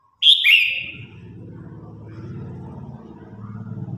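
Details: Red-whiskered bulbul in competition singing, calling its flock: one loud whistled phrase that drops and slurs downward, then a low steady rumble of background noise for the remaining seconds.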